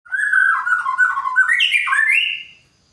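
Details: White-rumped shama singing in the morning dew; one rich, sweeping warbled phrase dipping lower then jumping to higher slurred whistles, ending after about two and a half seconds in quiet.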